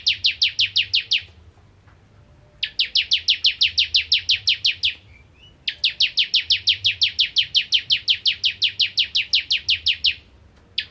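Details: Energetic gacor nembak ngentrok singing from a bar-winged prinia, ciblek kristal: long trains of rapid, piercing, evenly repeated downslurred chips lasting up to four seconds, broken by brief pauses, with one short rising note between trains.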